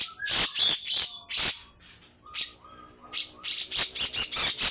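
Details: Grey-cheeked bulbul delivering long harsh rasps meant to rouse other birds. Loud scratchy bursts open the phrase, then soft rising whistles follow during a pause, before a fast string of coarse notes.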